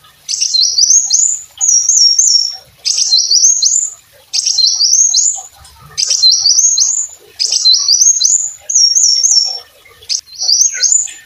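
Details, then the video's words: Brown-throated sunbird in lively song, kept as tutor material for teaching other songbirds: eight high, thin phrases of quick stepped upward whistles, each about a second long, separated by brief pauses, on a quiet background. "kolibri wulung gacor buat masteran"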